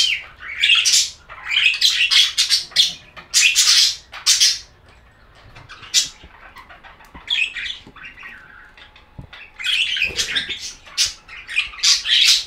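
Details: Budgerigar chirping: loud bursts of rapid squeaky warbling and buzzy chatter, a quieter stretch with scattered soft chirps in the middle, then lively chatter again at the close.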